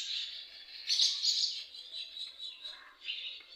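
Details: Swallows chatter continuously at their nests on a house one morning, high twittering chirps with a few sharper bursts over steady overlapping calls, while young swallows practise flying.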